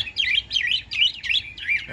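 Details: Caged Chinese hwamei, newly arrived, not yet singing with full confidence, in a series of warbled, looping whistled phrases, each rising and falling, repeated about four times in two seconds, ending in a lower slurred phrase.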